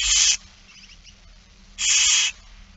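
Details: Two hoarse hissing screeches from barn owl young begging during a feeding at It Fryske Gea, September 2019, separated by about one and a half seconds with faint twitter in between.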